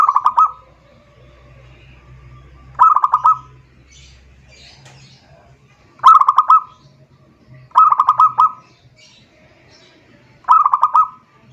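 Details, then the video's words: Zebra dove song used to call a rival: five short bursts of quick, throbbing coos spread across the recording, spaced two to three seconds apart, with a soft low hum early on. "suara perkutut memanggil lawan"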